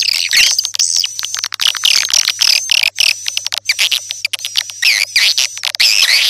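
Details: Swiftlets calling, used as a lure: busy, high, buzzy twittering with thin sliding whistles and scattered clicks, almost unbroken throughout.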